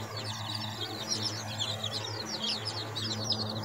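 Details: Baby chickens, seven days old, a group peeping continuously with shrill chirps that bend downward and overlap, under a constant low electrical hum.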